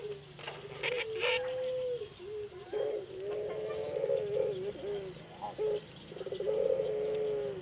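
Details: Caged male Pelung dove from Solo, Indonesia, kept alone for treatment after losing his voice during six months in a breeding cage, possibly from a cold: low, hoarse, drawn-out coos with a few clicks and light rustling.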